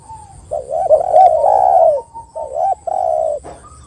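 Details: Spotted dove lure recording for coaxing silent doves to sing: a long, run-together mellow coo with wavering notes, a brief pause, then two further hooting phrases, under a faint constant high whine.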